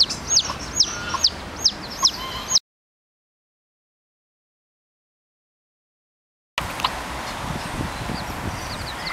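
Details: Newly hatched chicks with their hen at Parque de las Naciones in Torrevieja, a park with a large pond, gardens and fountains. Thin, high peeps repeat about twice a second for two seconds, followed by silence and faint background noise.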